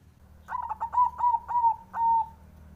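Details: Zebra dove male's challenge song aimed at rivals: a longer series of about seven soft, hollow cooing notes in steady rhythm, gently falling in pitch, ending on a drawn-out final coo.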